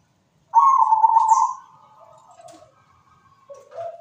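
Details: Cooing song of a zebra dove: a strong, rolling coo of about one second that trails into softer, lower notes, then a brief quieter coo at the end.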